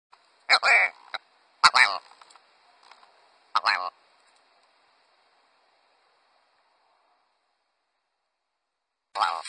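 Willow ptarmigan giving harsh, nasal, croaking calls in short bursts, four of them spread over about ten seconds with quiet gaps between.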